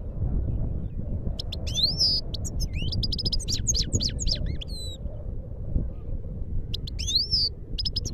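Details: Himalayan goldfinch singing in Parachinar: two bursts of rapid, twittering song with sharp upswept and downslurred high notes and a few clear whistles, separated by a pause, over a steady low rumble of background noise.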